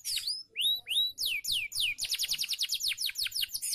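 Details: Caged canary singing on a training recording meant to get birds to sing: opens with a few separate upslurred whistles, then shifts into a fast, even trill of sharply falling notes.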